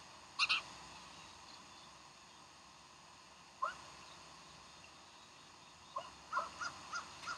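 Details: Bald eagles at Decorah, morning of 15 January 2012: a loud doubled shrill squeal at the start, a lone chirp midway, then a quick run of high piping notes near the end over a steady hiss.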